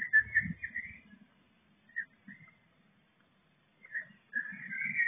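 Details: Eurasian blue tit chicks in a nest box during their first week after hatching: short, thin whistled notes in clusters, a bright burst at the start, scattered single notes, then a rising run of calls at the end, with soft low rustling beneath.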